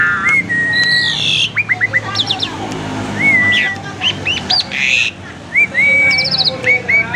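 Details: Asian pied starling kept as a collection bird, singing a varied lure song meant to prompt singing: clear whistled notes around mid pitch, repeated quick rising slurs, scratchy bursts and harsh grating phrases in a fast, continuous medley.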